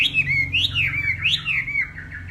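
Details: Hwamei from Northwest Vietnam in morning contest singing and voice practice: loud, clear whistled phrases that swoop up and down in looping, repeated figures, with a faint low hum underneath.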